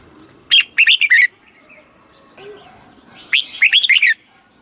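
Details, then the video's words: Two brisk phrases of clear, chirping notes from a red-whiskered bulbul in Thailand, sung in the southern master phrasing style and used to stimulate caged birds and teach youngsters, with a faint low note between them. "เสียงนกกรงหัวจุก สำหรับต่อ หรือ เปิดให้นกคึก เสียงเพราะๆ"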